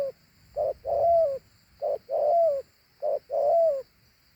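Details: Two-note cooing from a big, fine-looking dove. Each short clipped note is followed by a longer, drawn-out falling coo, and the pair repeats about every 1.3 seconds, three times.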